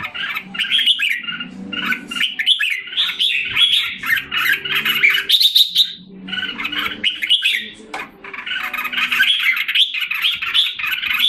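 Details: Red-whiskered bulbul kept in Singapore and recovering its health after a drop in form: long runs of fast, jumbled chirps and squawks broken by brief pauses, with a faint low tonal hum behind.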